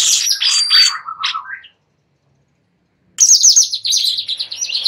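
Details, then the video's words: Sooty-headed bulbul song for training White-rumped shamas: warbled, falling whistled phrases, over a second of silence, then a fresh burst of quick, high, scratchy chirps. "Master Cucak Cungkok"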